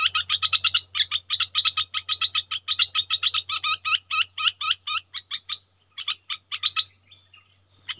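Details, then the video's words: Red-whiskered bulbul kept as a decoy bird, giving a long, rapid series of sharp, clipped chirping notes, many per second, that slows toward the end. A faint low hum runs underneath. "เสียงต่อนกดอกแตงEp.63นกต่อเจ้าเพชร||เสียงเรียก||เบิ้ล||ริก!!มีครบในคลิปเดียวSuara merbah lekir gacor"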